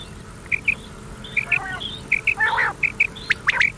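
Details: Common quail call from an old cassette recording, meant to be played at night until morning: short clipped high notes in pairs, repeated about every half second, with scratchy broadband bursts and steady background hiss.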